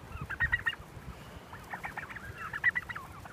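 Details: Heritage turkeys on a farm, a flock following people on a walk through pine woods to pasture, give two short bursts of rapid, stacked, rattling gobble notes over faint low rustling of footsteps.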